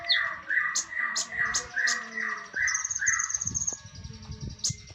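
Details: Master recording of a Javan tesia for songbird training, with a quick series of loud, buzzy, descending notes repeated about three times per second, sharp high ticks above, and a thin high trill.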